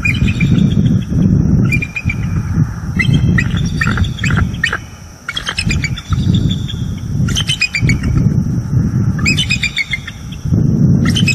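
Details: A pair of bald eagles at their nest tree in northeast Florida just after midnight on 30 October 2022, giving warning calls at an owl, recorded by live cam. Bursts of high, piping chirped notes in rapid series, repeated several times over a steady low rumble.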